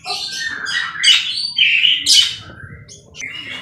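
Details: A white-rumped shama in very active song, used as a tutor recording for training birds, gives a rich, varied run of whistles and scratchy chirps, phrases rising and falling quickly at high pitch.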